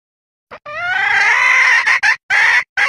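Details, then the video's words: A female red junglefowl gives a mating-solicitation lure call used for hunting: a long, harsh, slightly rising squawk of over a second, then a few short clipped notes, with no other sounds. "SUARA PIKAT AYAM HUTAN BETINA minta kawin"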